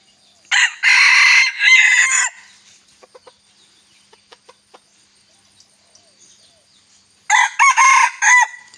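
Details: A red junglefowl-type bantam rooster, moulting in the rainy season in Bueng Kan, Thailand, gives two loud, hoarse crows, each broken into several rising and falling parts, with soft tapping clicks in the pause.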